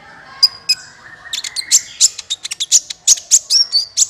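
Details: Sunbird calls used to lure birds for trapping: a few isolated high notes, then a dense, excited stream of sharp chirps and twitters to the end.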